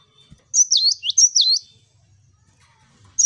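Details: Cinereous tit (gelatik batu) singing energetically in a 'wucit wucit' style, used as a training model for other birds: two bright, high whistled two-note phrases, each swooping down and back up, then a pause and the start of another phrase.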